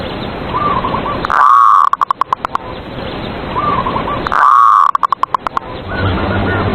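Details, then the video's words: Zebra dove (perkutut) kept in a cage, its song used as morning lure to get rivals singing: twice a long wavering coo followed by a rattling string of short clipped notes, with soft cooing of other doves throughout. "PERKUTUT SUARA PANCINGAN EMOSI LAWAN BIKIN MANGGUNG"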